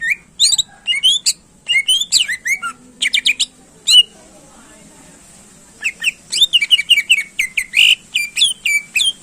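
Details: Greater green leafbird singing to stir up competition birds: dense varied phrases of piercing whistles, downslurred notes and harsh chatter, a short pause, then another long rapid burst of chips and whistles.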